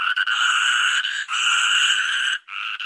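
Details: Toucan giving loud, sustained, buzzy, nasal notes with a steady hoarse tone. The notes break briefly twice before a final, quieter burst. No background sounds are evident.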